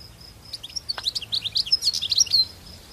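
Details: Wild European goldfinch in the countryside pouring out a rapid, rising-intensity twitter of clear high chirps and slurs lasting about two seconds, one faint click partway, over a faint steady whine.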